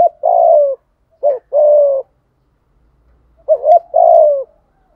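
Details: Spotted dove used as a decoy to call in new wild birds: one long falling coo, then a full phrase of a short warbled note and a sustained coo, and after a pause another phrase.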